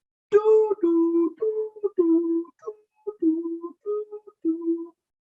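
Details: A human voice hums a slow tune, alternating between two low notes in short phrases, indoors with no animal sounds.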